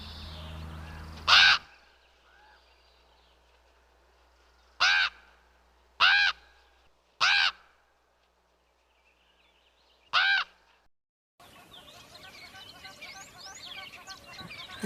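Five harsh, hoarse caws from a crow, spaced irregularly one to four seconds apart; chattering background birdsong comes in at the end.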